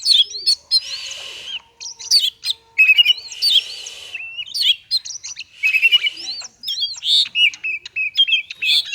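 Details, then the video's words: Magpie-robin singing 'konslet' style as a prompt for silent birds: a dense, fast run of high chirps, upslurred whistles and rasping buzzy bursts, repeated in clusters every second or so without pause. "Kacer konslet cocok untuk pancingan burung kacer malas bunyi"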